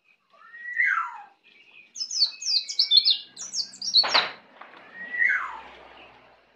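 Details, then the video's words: A falling whistled slur opens, followed by a rapid series of high chirps, a sharp click, then another descending whistle, as a young Bali white-eye learns ngeplong singing. "Pleci Bali baru Belajar ngeplong"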